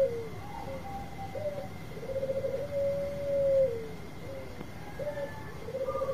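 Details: Quieter song from a long-voiced Bangkok zebra dove used as a lure: short, soft coos and rippling trills with one long smooth tone in the middle, backed by a steady high electrical whine.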